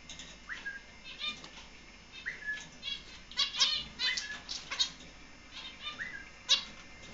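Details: Young finches, four months old, give short rising calls that flatten out, spaced every couple of seconds, mixed with rapid clicking and dry rustling taps through the middle.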